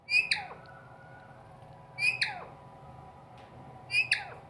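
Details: Parrot kept indoors uttering three brief, loud, harsh squawk-like vocal bursts with falling tails, spaced about two seconds apart, over a low background hum.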